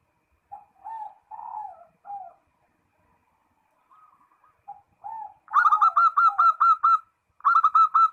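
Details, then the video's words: Zebra dove calling a rival: soft low cooing phrases with gaps, then a loud fast series of ringing coos, a brief pause, and another quick burst. "SUARA PERKUTUT MEMANGGIL LAWAN"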